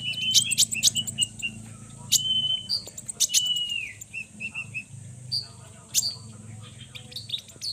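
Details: A konin bird gives sharp high chips and short whistled slurs that drop in pitch, delivered in quick irregular bursts over a steady high hiss.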